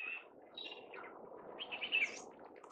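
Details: Alexandrine parakeet under a blue sky in Hong Kong giving a few harsh, raspy squawks in quick bursts over under two seconds, against a steady low rumble of background noise.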